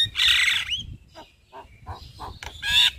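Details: Javan myna singing in daytime before a house: a long harsh rasping note, then a few soft clicks and short notes, ending in another loud harsh whistle.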